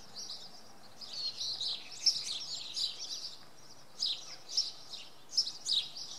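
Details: Common redstart singing early on a Monday morning at Oksywie; brief high, scratchy twittering phrases come in bursts about a second apart, with quiet pauses between them and faint background hiss.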